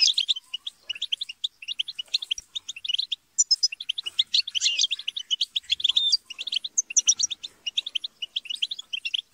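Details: Group of European goldfinches chattering and squabbling, used to stimulate singing: dense, rapid high twittering chirps and short trills in quick bursts throughout, with several birds overlapping and brief pauses between runs.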